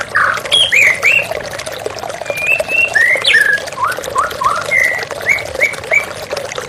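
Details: Shama therapy recording over running water, aimed at a stressed bird that will not sing: rapid run of varied whistles, sweeping and looping notes, some harsh, delivered several per second against constant water noise.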